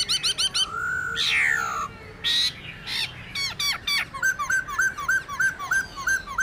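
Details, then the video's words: Laughingthrush wild-style song for training caged birds: rapid chattering notes, long harsh rasping calls, then a steady string of short repeated hooked whistles. "Khướu Hót giọng rừng KÍCH BỔI HÓT"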